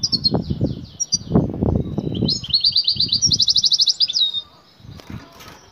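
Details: Female European goldfinch, excited, calling the male for mating: a run of bright twittered notes, then a fast, even, chattering trill of about a dozen pulses, over repeated low thumps and rustling.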